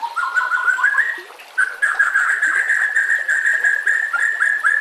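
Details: White-rumped shama song as training master audio, with nature sounds and trickling water: a sustained, rapid, fluttering warble held at a fairly steady pitch, briefly rising at the start, continuing with little pause.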